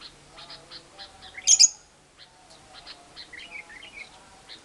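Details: Lovebird ngekek, a long trill played so that silent lovebirds start singing: quiet, evenly spaced chirps with one loud, harsh, shrill double burst early on, followed by softer twittering notes.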